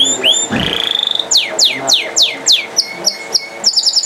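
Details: Canary singing: a short rising whistle and a sustained high tone, then a series of sharp down-sweeping notes, each followed by a thin trailing whistle, and ends with quick high chips. One low thump is heard.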